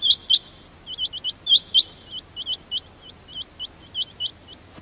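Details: Rain quail calling: short, sharp upswept high notes, often in quick pairs, repeated in uneven bursts against a quiet background hiss.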